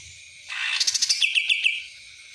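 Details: A cucak ranting sings a rapid, high, trilling phrase of about a second, a stream of quick sharp chirps ending in several short flicked notes, with a faint low hum beneath.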